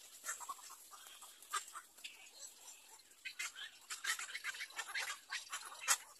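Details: Nestling little egret at the third nest gives scattered raspy chatters and short harsh notes, growing busier toward the end, which closes with one loud click.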